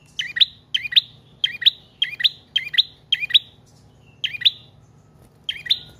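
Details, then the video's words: Prinia in trotol or paot style, kept as a lure and master song for training cage birds, delivers loud, bright chirped phrases repeated steadily, roughly one to two each second, with a short gap before the final notes. "Prenjak Trotol/Paot Gacor Panjang"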